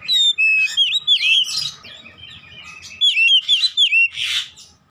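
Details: Oriental magpie-robin (kacer) in full song, meant to prompt a silent bird into vigorous singing: clear descending whistles, quick hooked slurs and raspy bursts in two energetic phrases split by a softer pause.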